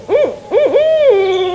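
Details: In spring, a Barred Owl in the canopied wet cypress swamp forest along the Pocomoke River near Snow Hill, Maryland, gives two quick, wavering hoots, then a long hooting note that slurs downward at the end.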